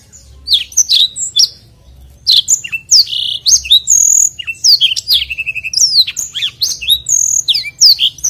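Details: A black-throated canary gives a long, continuous rolling song, used as a tutor recording: a fast, unbroken high-pitched medley of sweet whistles, sharp slurred notes and brief buzzy trills, over a faint low hum.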